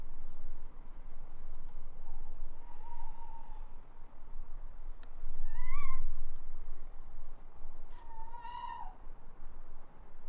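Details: Tawny owl calling from a roof: a faint wavering note early on, then two louder drawn-out calls about three seconds apart, each rising and falling, over constant low background rumble.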